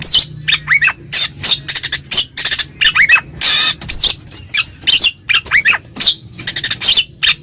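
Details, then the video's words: Oriental magpie-robin singing loudly to provoke a rival: a fast stream of short bursts mixing harsh rasping notes with slurred, looping whistles, delivered almost without pause. "suara burung Kacer NGEPLONG memanggil lawan, lawan EMOSI seketika"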